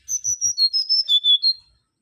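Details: Close, loud song of a mangrove whistler (Pachycephala grisola): eight or nine pure whistled notes in quick succession. They slide down from very high to lower pitch and finish with a slightly higher closing note, in a quiet setting.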